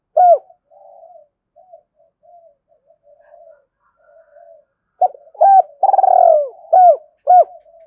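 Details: Spotted dove cooing, used to lure and train decoy birds: soft low murmuring notes, then a burst of loud, hollow, clipped coos with a longer rolling coo near the end, in a quiet setting.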